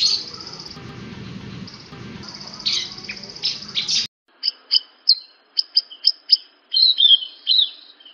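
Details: Horsfield's bush lark singing, used as training material for other larks. A muffled, hissy stretch with low hum gives way to crisp, separate high chirps spaced unevenly, then a quicker twittering run.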